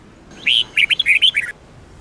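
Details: Red-whiskered bulbul singing in the Sông Kôn style, used to train other bulbuls: one brief phrase of bright, chirpy whistled notes, a longer opening note followed by quick slurred ones, over quiet background.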